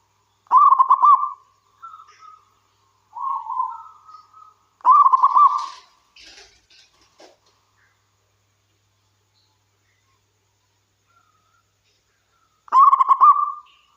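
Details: Wild local zebra dove song meant to entice other doves to sing: several separated bursts of rapid, rippling coos with softer lower notes between them, a scratchy rustle midway and a long quiet gap before the last phrase.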